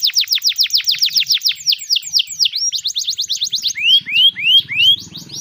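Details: Canary song for training young canaries: rapid downward-sweeping whistles in a quick run, a fast rattling passage, then four rising slurred whistles, with a faint low hum underneath.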